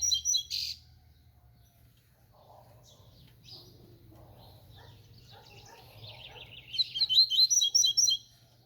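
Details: Double-collared seedeater, called papa-capim or 'tui tui', singing a lot: after a loud opening noise and faint low hum, a fast burst of high, sharp, repeated chirping notes near the end.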